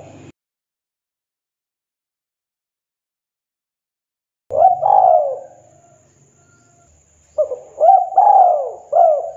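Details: Local wild spotted dove singing from a perch in the "KUK 2" style; after a long silence come soft, low, rolling coos in a short phrase, then a second phrase of three to four mellow coos.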